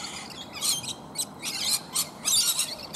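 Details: Rainbow lorikeets feeding in a flowering bottlebrush tree: short, sharp, high-pitched screeching notes in quick bursts about every quarter to half second, several birds overlapping.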